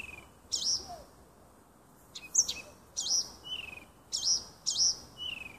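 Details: Nightingale singing in a small wood near a house on 30 June 2015: separate short phrases of loud, high, slurred notes alternate with clear, falling whistles, with pauses of about a second between phrases, over soft background hiss.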